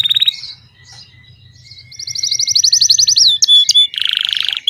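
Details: Domestic Belgian canary singing its bell-style song: a bright high trill of rapid repeated notes, a couple of sharp whistled spikes, then a dense buzzy rolling trill, with a faint low hum underneath.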